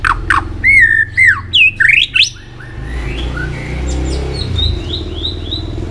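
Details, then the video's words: White-rumped shama trained and stirred up for singing contests: a loud run of looping, varied whistles and sharp notes, then fainter distant whistled phrases over a low hum. "luyện giọng chòe lửa hót kích chòe lửa nhanh căng lửa"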